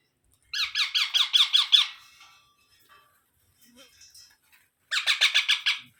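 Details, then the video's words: Baby parrot calling in two bursts of rapid, harsh, rasping squawks, about seven notes per burst at a quick steady pulse, separated by a pause with faint soft sounds. "Baby Parrot Sounds"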